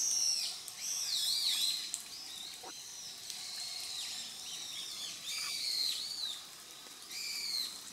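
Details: Grey wagtail calling in 2023: thin, high-pitched chirps that bend down and up, some doubled, repeated irregularly across eight seconds against continuous rushing noise, with a faint lower note near the middle.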